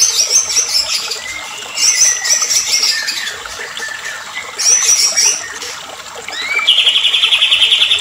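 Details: Agitated white-rumped shama in a lure recording meant to spur other shamas to sing: varied high whistled phrases with slurred descending notes come in separate bursts, ending in a fast, even, buzzy trill of rapidly repeated notes.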